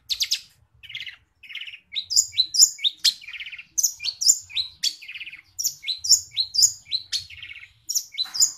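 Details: Long-tailed shrike in song mimicking house sparrow, mixing buzzy rasping phrases with sharp high chirps and sparrow-like chirrups in quick, irregular succession, about two notes a second, with soft low thumps beneath.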